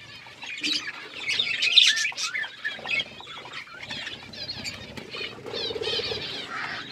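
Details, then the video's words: Budgerigars chirping in a forest-style aviary in Asia, a busy chorus of overlapping warbling chatter and short squeaky notes from many birds, with some wing flutters. "Budgies in forest environment aviary birds chirping"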